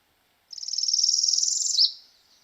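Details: Northern Parula, a higher-canopy spring migrant warbler of Kentucky: a high, buzzy trill climbing steadily in pitch for about a second without a break, then snapping off in a short final note.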